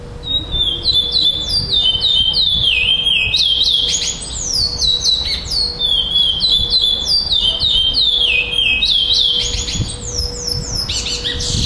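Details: Competing black male Chestnut-bellied seed finch, runner-up at a Florianópolis, Brazil tournament, 11 December 2011. Loud clear whistles sweep downward in rapid sequences, the whole phrase repeating several times, with a low steady hum behind.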